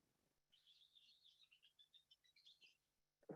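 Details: Western Kingbird dawn song, heard early in the morning before it gets light, sounding like a really upset bird: a quiet, two-second string of sharp, sputtering high notes that rise and jumble together, followed by a brief knock.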